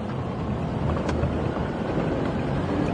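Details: Continuous wind buffeting and vehicle rumble fill the recording, with no animal sound.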